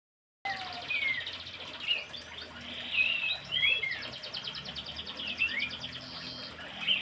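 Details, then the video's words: Horsfield's babbler, singing vigorously: a busy stream of clear whistled notes, short slurred phrases and rapid trilled bursts, high-pitched and continuous throughout, over a faint low background hum. "PELANDUK SEMAK / CINGCOHO GACOR"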